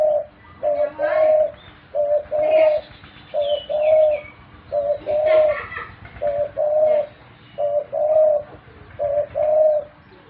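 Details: Pet dove repeating paired low coos, a brief hoot leading into a longer rolling note, about every 1.3 seconds, with higher chirps and tweets from other small birds nearby.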